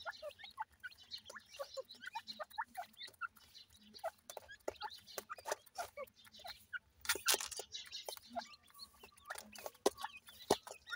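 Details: Grey francolin chicks, also called teetar, calling while being fed: a busy stream of short high peeps and chirps with brief clicks, dense and irregular throughout.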